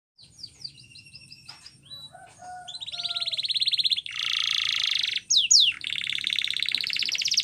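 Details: Canary training song: short high whistled notes and scattered chips open, then a long buzzy trill and a dense, loud rolling tour, a sharp downslurred flourish, and another fast buzzy roll to the end.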